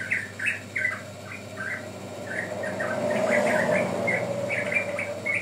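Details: Sooty-headed bulbul song used to lure or train birds: spaced bubbly chirps, nearly three per second, with a broad low whooshing noise swelling in the middle.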